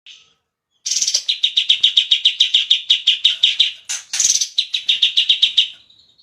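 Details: Bulbul (cucak cungkok) in full song as training material: rapid bright chirps repeated about three to four per second in two long runs, split near the middle by a short buzzy burst, with a quiet background.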